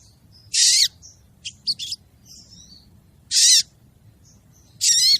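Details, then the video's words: Female crested jay calling to draw the male. Loud, broad, harsh rasping bursts recur about every two seconds, with a few shorter scratchy notes between them over low background noise. "suara burung sogon betina manggil jantan"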